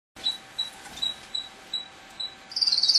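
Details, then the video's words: Pet male canary singing: short high piping notes spaced about every half second against a hissy background, ending in a fast, bright rolling trill. "Canary Singing"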